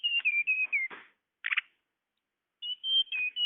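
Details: Tledekan bird calling as a bird lure: quick high whistles dipping in pitch, a rough buzzy note, a short chatter burst, silence, then level whistles again.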